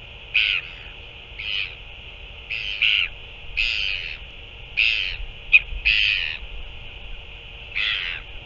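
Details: Northern royal albatross at a feeding on 9 February 2024: short, harsh, rasping bursts come in an uneven series about once a second, some doubled, over a constant high hiss.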